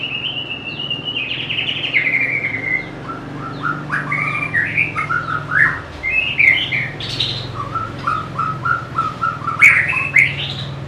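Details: Long varied song of a White-rumped shama, noted for its melodious voice and ability to imitate other birds: a sustained whistle, then rapid sliding notes, chattering bursts and bright high accents over a low steady hum.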